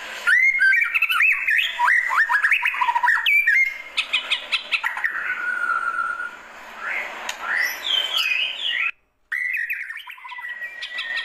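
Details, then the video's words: Classic calling song of the White-rumped shama: rapid loud whistled slurs and chattering notes, then softer drawn-out whistles and rising sweeps, with a brief silent break near the end. "Kicauan Panggilan Murai Batu Klasik"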